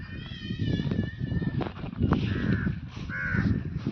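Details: Indian crow in the countryside near Hosur, with two hoarse, drawn-out caws late in the recording over strong low rumbling wind or handling noise.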